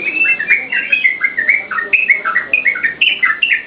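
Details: Yellow-vented bulbul in chatty song used to stimulate and teach caged birds: continuous, rapid, clear slurred notes, rising and falling, with only short gaps between phrases.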